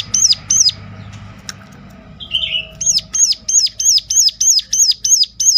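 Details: Sunda warbler calling sharply to draw other warblers into song; two high notes, a short buzzy sound, then a steady train of rapid arched notes about three per second.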